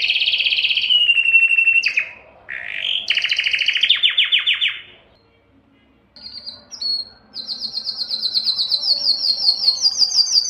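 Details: Belgian canary song used to stimulate females to breed, mixing steady rolling trills and sharp descending chirp series, a near-silent gap, then a rising high-pitched rapid trill growing louder.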